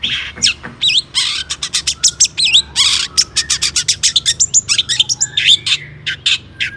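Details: Long-tailed shrike in agitated, excited song meant to provoke other shrikes into singing: a loud, dense jumble of harsh rasping bursts, sharp chattering clicks and a few rising and falling whistled notes, delivered in rapid succession.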